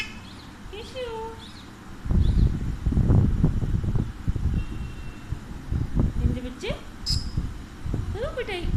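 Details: A pet Alexandrine parakeet talks in a muffled, speech-like voice with bursts of syllables as its owner chats to it in Hindi. Short whistles and chirps from other birds and some rustling are also heard.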